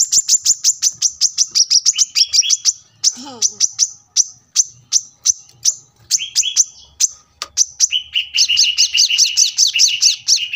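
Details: Brown-throated sunbird, a cage bird, singing a lively master training song: fast runs of sharp high chirps and ticks that speed into dense trilled bursts. A short lower buzzy note breaks in, and faint traffic hum stays in the background.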